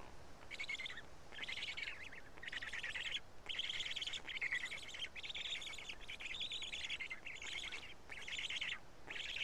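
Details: Midday feeding at a black stork nest in Karula, 31 May 2017, with chicks eating pieces of fish; rhythmic rasping, wheezy bursts repeat roughly every second, each about half a second long.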